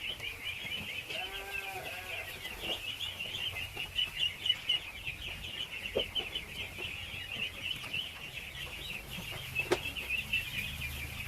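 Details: Huge numbers of baby ducks being fed: sustained shrill peeping from countless birds, a lower harmonic call near the start, and occasional sharp knocks and taps.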